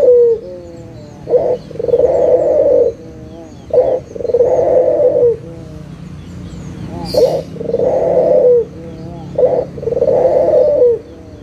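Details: Puter dove, local type, used to get lazy doves calling: steady series of phrases, each a quick hoarse note then a sustained rolling coo, repeated every two to three seconds, with a brief hiss once.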